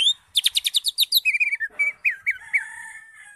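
A greater green leafbird opens with a fast burst of about ten sharp, high chirps, then shifts to lower, slurred whistles that rise and fall.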